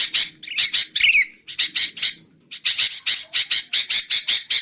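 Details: Sooty-headed bulbul, played to lure bulbuls and train songbirds: rapid runs of harsh, buzzy chattering notes, about four per second, broken by one brief pause midway, with a faint low hum beneath.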